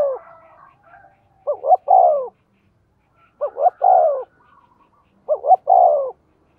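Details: Captive lure spotted dove calling fast to entice wild doves: three clear phrases, each two short rising notes then a drawn-out descending coo, spaced roughly two seconds apart.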